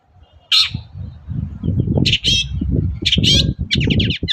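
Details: Long-tailed shrike singing vigorously in the morning as a lure for other shrikes; harsh screeches followed by quicker chattering notes, over a continuous low rumble.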